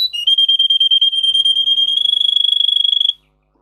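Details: Russian singer canary, a breed raised for singing, in a recording meant to teach canaries to sing: a rapid, steady trill at one high pitch that speeds up slightly and lasts about three seconds, then stops abruptly.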